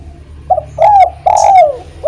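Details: Derkuku spotted dove 'kuk 1' call meant to prompt other doves to sing: a brief coo, a swelling hollow coo, then a long falling coo, with the next phrase starting at the end; low hum underneath.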